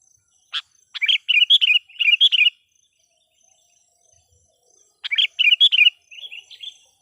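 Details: Decoy sooty-headed bulbul singing energetically to lure wild bulbuls; two bursts of bright, bubbly chirped notes, each about a second and a half long, separated by a silent pause.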